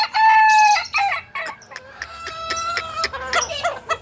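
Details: Kukuak Balenggek rooster crowing during a 2023 record-setting song contest in Padang, Indonesia: a loud, clear opening note, then a string of linked, wavering tonal syllables, while other birds crow faintly behind.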